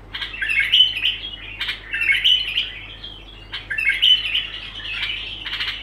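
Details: Continuous bulbul song: lively bursts of bright, chirruping and whistled notes in phrases of about a second, separated by short quiet gaps, with a faint electrical hum below.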